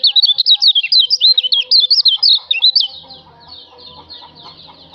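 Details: White-eye known on Lombok as kecial delivers nearly three seconds of rapid, high, twisting whistled notes, then falls quiet to faint distant chirping; song recorded for tutoring other birds.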